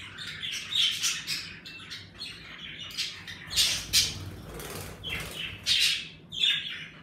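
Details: Pet budgerigars in an indoor birds' room, kept as pets and lively in warm weather: soft, scratchy chirps and warbles in irregular bursts, with a few sharper squawks.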